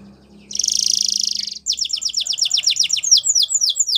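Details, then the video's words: Belgian canary delivers a loud buzzing rattle about a second long, then quick repeated downward-sweeping notes that spread into a looser, varied trill, with a faint low hum beneath. "Belgian Canary Song"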